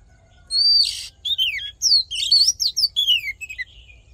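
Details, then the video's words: Oriental magpie-robin delivering its fighting song, meant to rouse males: a whistle, a harsh buzzy note, then a tumbling series of rapid descending slurred whistles. "Hót Đấu Kích Trống Căng Lửa || Luyện Giọng Chòe Than"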